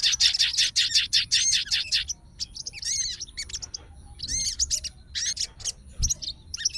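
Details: Sooty-headed bulbul in fighter mode, responding immediately with an opening burst of rapid, loud high chirps, followed by spaced clusters of sweeping whistled notes and chatter.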